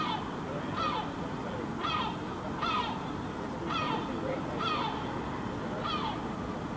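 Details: Herring gull parent standing on a rooftop in Helsinki, Finland, in July, keeping an eye on its fledgling: repeated nasal falling mewing calls about once a second over constant low city rumble.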